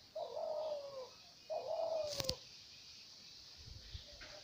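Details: Two soft, hollow coos from a dove, each lasting about a second and dropping slightly at the end, followed by a sharp click and faint low thuds.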